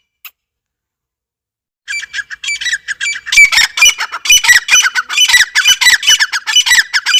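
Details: Grey francolin: after near silence, softer squawky notes begin and build into a loud, fast, harsh chattering series of repeated grating calls that carries on to the end.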